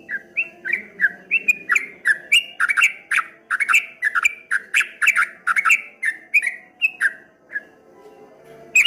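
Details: Streak-eared bulbul giving a long rippling, wave-like song: dense runs of bright squawky chirps with sharp clicks, about three per second, fading near the end before a final loud burst, low hum throughout.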